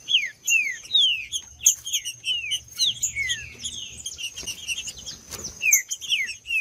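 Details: Male green-winged saltator in fighting mode pours out repeated downward-gliding whistles in quick succession, a noisy gap midway, then further slurs, over a steady thin high-pitched background tone.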